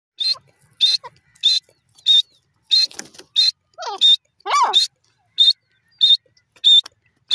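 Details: Grey francolin calling: short, bright, buzzy bursts repeated about every two-thirds of a second, with a few lower descending, harmonic squeals mixed in midway.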